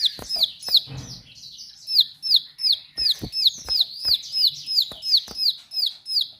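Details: Ciblek sawah, the bar-winged prinia, in sharp song: rapid repeated high, piercing notes that slide downward, roughly three each second, with occasional loud ticking clicks in between.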